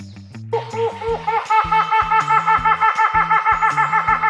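Helmeted hornbill: loud, nasal, laughter-like hoots repeated about three times a second, over a steady background of low musical bass notes.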